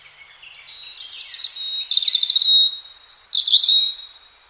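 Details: Spring song of a free-living European robin: a string of sweet, high, tinkling phrases with fast twittering trills and piercing thin whistles that change pitch from note to note, in quiet surroundings.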